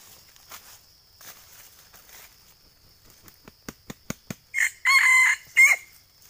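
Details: Male Sumatran red junglefowl in a eucalyptus plantation in Sumatra, during decoy trapping, gives a short, clipped, harsh crow after a quickening run of wing claps; faint insect hiss throughout.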